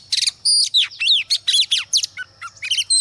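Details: A female Oriental magpie-robin, used as a lure to stimulate males, sings a rapid, varied string of clear whistles, slurred notes and sharp chirps, high-pitched and nearly continuous, with a faint low hum beneath.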